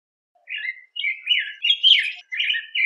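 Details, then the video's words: Yellow grosbeak song made of several bursts of rich, hurried warbling whistles separated by short pauses, some notes sliding up and down, with a clean quiet background. "Picogrueso Amarillo Canto! Sonido! Cantando! Reclamo! - Yellow Grosbeak Song-Pheucticus Chrysopeplus"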